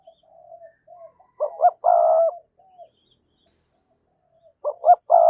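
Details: Spotted dove lure calling: soft low hoots, then a pair of quick coos and a longer, full cooing note, the phrase repeating after a short silence.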